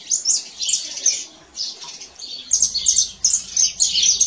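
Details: Canary singing out in nature, delivering bright, high, rapid twittering phrases in bursts, with a short quieter gap midway before the chattering trills resume strongly, plus a faint low background rumble.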